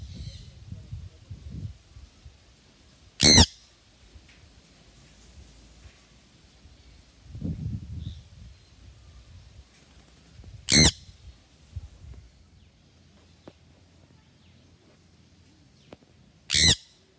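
Sun conure giving three piercing, harsh screeches spaced several seconds apart over a quiet indoor background.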